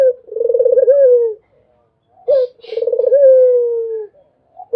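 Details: Repeated coos of a Barbary dove, each a brief sharp opening note followed by a drawn-out, throbbing, slowly falling coo. Phrases recur roughly every two and a half seconds. A faint high chirp sits between them.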